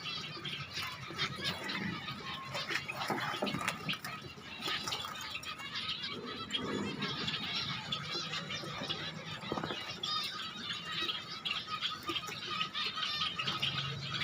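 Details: A pet zebra finch gives a steady stream of short, nasal, high-pitched beeps and chattering notes.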